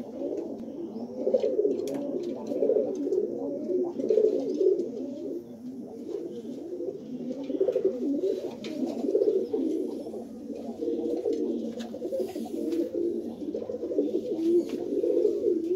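Pigeons coo continuously in low, throaty, rolling phrases that overlap one another.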